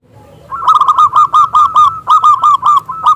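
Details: Local zebra dove with a big voice, singing as a lure to invite rival doves to sing: a loud, rich run of rapid arched coos in pairs and triplets, strongly repeated with bright overtones.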